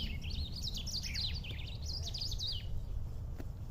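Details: Black-throated saltator song recorded outdoors in nature: one continuous, lively phrase of quick, sliding, warbling notes lasting about two and a half seconds, then fading to a low rumbling background.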